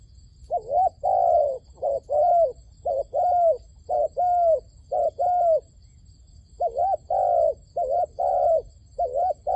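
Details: A decoy dove calls hard to draw wild doves toward a trap. The mellow coos come in a rapid, uneven series, wavering and steady notes mixed, with one short break midway and a faint high hum throughout.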